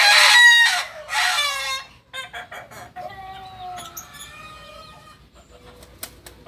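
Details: Singing kukuak balenggek rooster from Solok, West Sumatra, gives two loud, rich crowing phrases, then a softer crow with level, stepped notes, while faint chirps of small birds flicker in the background.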